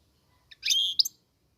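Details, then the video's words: Moroccan European goldfinch giving a brief burst of bright, high twittering notes with a sustained squeaky phrase, ending in two sharp chirps, against a quiet background. "صوت الحسون المغربي"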